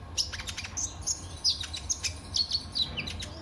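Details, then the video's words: Kolibri ninja sunbird song used as a lure to make other birds sing: thin, very high chirps and short sharp twitters repeated about once a second, over a low steady background hum. "Burung KOLIBRI NINJA anda LANGSUNG GACOR pancingan dan masteran KOLIBRI NINJA GACOR"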